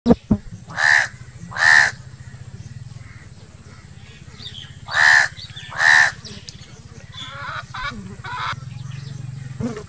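A crow gives two pairs of harsh, hoarse caws about four seconds apart over a steady low hum.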